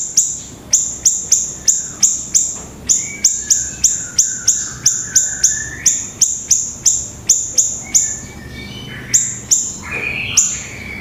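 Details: Pleret singing steadily: a fast train of piercing, very high clicking notes, roughly three per second. Lower, drawn-out whistles slide underneath, and the run ends with a few scattered rising notes.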